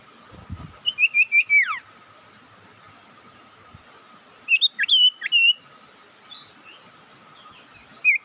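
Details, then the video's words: Bird lure call meant to anger rivals: a descending run of whistled chirps ending in a slur, a pause, then a group of sharp upslurred whistles, with a final chirp at the end. "Panggilan sirtu pikat Lawan awas ikut emosi"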